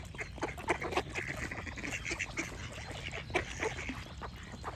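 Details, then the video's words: Ducks quacking in quick, uneven bursts of harsh notes, several calls close together, mixed with a few thin chirps from small birds. "Duck Quack Sound Effect with Birds Chirping"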